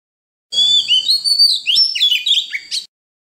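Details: {'caption': 'Song of an Oriental magpie-robin in wild voice, played to teach young birds and excite newly caught ones: long level whistles, then rapid chirpy notes and dropping slurs over about two seconds.'}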